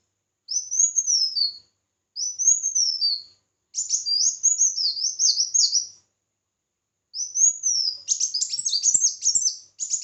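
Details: A red-whiskered bulbul sings competitively with arched whistled phrases, several delivered in sequence with short gaps, finishing in a rapid tumbling burst of chirpy notes.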